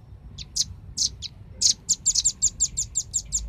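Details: Velvet-fronted nuthatch lure call for attracting birds: irregular sharp high notes at first, then settling into a quick regular series of bright chips.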